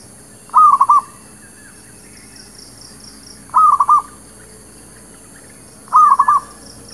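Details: Lure song of a zebra dove (local merbuk or perkutut) used for trapping: three cooing phrases, each a quick cluster of three or four soft notes, repeated about every two and a half seconds over low background hiss.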